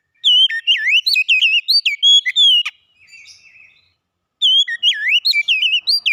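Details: Oriental magpie-robin song for reviving a magpie-robin that stopped singing: two energetic bursts of varied whistled notes, swooping and warbling at a quick pace, separated by a soft murmur and a silent gap.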